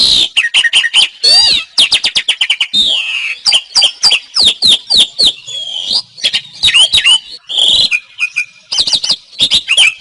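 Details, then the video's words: Asian pied starling, kept as a songbird, used as a master recording for training other songbirds; rapid series of loud varied notes, sharp clicks, whistles and harsh buzzy squawks run together in a dense chattering stream. "Ocehan Suara Burung Jalak Suren"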